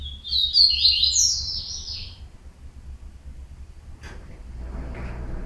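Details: Yellow-bellied seedeater (coleiro baiano) delivers a quick, bright, jumbled twittering phrase of about two seconds, then quiet with a single click and faint rustling noise.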